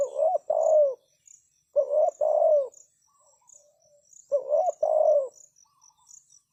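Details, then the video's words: Spotted dove calling as a lure bird for wild doves. Three deep, throaty two-part coos, a clipped opening note running into a longer falling coo, with faint soft notes between phrases and a constant high insect hum. "Chim cu gáy chiêu kích mồi tập bổi nhanh nổi hiệu quả"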